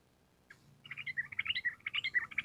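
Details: Sooty-headed bulbul in 'gacor' form, singing the 'ropel panjang' song used for training. A quieter, continuous rapid series of clipped, bubbly whistled notes runs over a soft low background hum.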